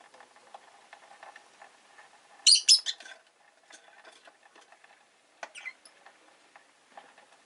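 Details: Rosy-faced lovebird on a relaxed afternoon, one loud burst of sharp, shrill chirps in the middle, with faint scattered chirps and a soft clicking clutter of background noise throughout.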